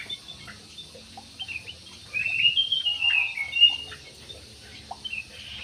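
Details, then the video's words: Aviary jumbo parakeet producing a continuous scratchy warble lasting about a second and a half, rising and falling, framed by sparse single chirps and quiet background. "PARKIT JUMBO"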